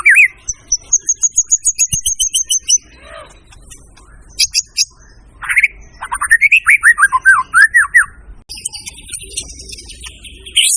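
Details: Lively white-rumped shama song mixing quick trilled rattles, a loud falling-rising series of rich whistled notes, and scratchy high phrases, delivered in varied bursts with short pauses.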